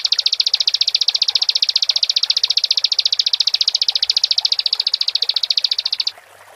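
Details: Bar-winged prinia song used to stir other birds into singing: one unbroken, fast, buzzy high trill of even pulses lasting about six seconds, then stopping abruptly.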